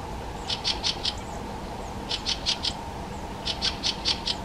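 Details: Fieldfare (Turdus pilaris) calling in three quick bursts of four to five harsh, clicking chacks, each burst under a second long, with a constant low background hum.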